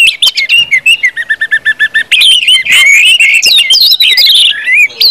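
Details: Orange-headed thrush ngeplong song for triggering other birds to sing: opens with a series of about ten evenly spaced, repeated whistled notes, then bursts into a loud, jumbled medley of slurred whistles and twitters.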